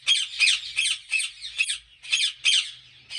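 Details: Ringneck parrots at a large Pakistani breeding farm, making a fast series of shrill, grating squawks about three per second with no clear pauses.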